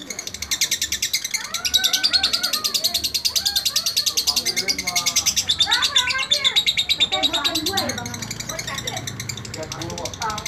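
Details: Tutor song of a kept lovebird: a dense, high, grating chatter running continuously while lower, rising and falling whistled and warbled notes weave through, fading toward the end.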